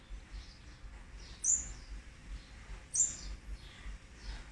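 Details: Olive-backed sunbird chicks of a fourth brood, fed on day 18, 8 March 2020. Two bright, high-pitched chirps spaced about one and a half seconds apart stand out over faint softer peeps and a low hum.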